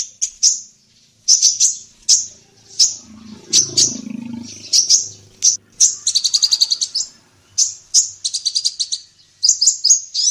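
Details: Lively female ninja sunbird in Indonesia used as a training voice for songbirds: high chirps spaced every half second, broken by quick rattling trill bursts.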